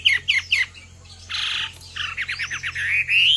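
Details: Female Chinese hwamei calling to stir a male into song: three loud rising whistled slurs, a broad harsh burst, then a fast run of descending buzzy notes ending in a long clear rising whistle.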